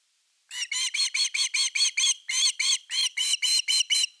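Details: At a camera-watched nest on 30 August 2021, an osprey calls around an evening fish: a steady run of about fifteen piercing, slurred whistles, each note short and down-curved, repeated several times a second with barely a pause.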